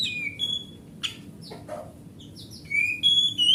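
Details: Oriental magpie-robin of forest stock, kept at home, singing a master song meant to prompt silent magpie-robins to sing: clear whistled phrases, short harsh bursts in between, then loud rising and falling whistles, with a low background hum.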